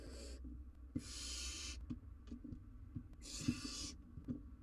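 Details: Young wild barn owl on a live nest cam attempting to swallow a giant jird, giving two long, drawn-out breathy hisses almost a second each, separated by a pause filled with faint taps.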